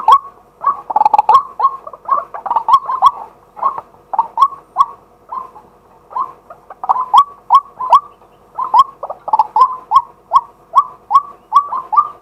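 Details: Daytime live recording of a male White-breasted waterhen used as a decoy: bursts of quick, crowded hooked notes alternate with looser series of evenly spaced calls over about twelve seconds.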